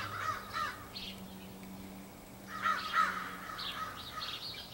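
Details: Numerous crows in a large group, possibly pairing up, recorded April 2015; clusters of hoarse caws and chattering from several birds, a quieter gap midway, and a faint low drone.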